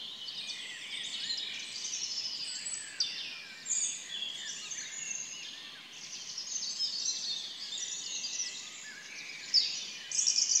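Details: A dense dawn chorus of many birds at 4 a.m.: high, overlapping chirps and twittering trills that run without pause, over a soft background hiss.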